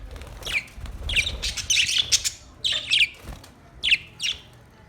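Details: Australian parrot uttering scratchy, high squawks in bursts, several close together in the middle, then two sharp single calls near the end.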